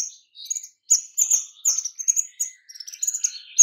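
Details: Rapid, closely packed high whistles and chattering notes from a white-rumped shama, used to lure other shamas into singing, the phrases tumbling together with brief gaps between bursts.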